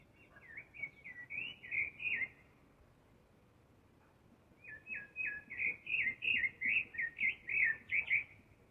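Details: Thrush singing in spring: two bursts of quick, repeated chirping notes, a short phrase and then a longer run with a gap between, over light background noise.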